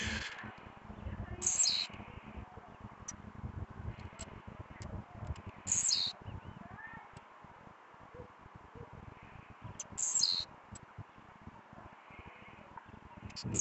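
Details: Blue-black grassquit singing repeatedly at night while agitated; short high buzzy descending phrases recur every four seconds or so, with faint ticks between and a continuous low background hum.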